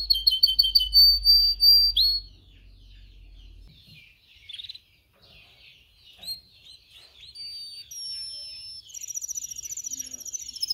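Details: Canary song meant to train canaries to sing. A loud ringing trill opens, then soft scattered chirps and twittering follow, and clear whistled notes and a rapid high trill close the phrase.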